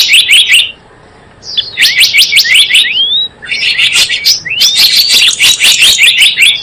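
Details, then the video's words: Java sparrow lure call used to attract birds for trapping: dense bursts of high chirps mixed with sharp clicking notes, a rising whistled slur near the middle, a short silent gap early on. "SUARA PIKAT BURUNG GELATIK BLOONG"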